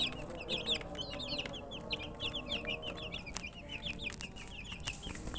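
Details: Chickens' chicks thirsty for drinking water, peeping continuously: quick high chirps falling in pitch, many chicks together, over a low rumbling background and occasional clicks.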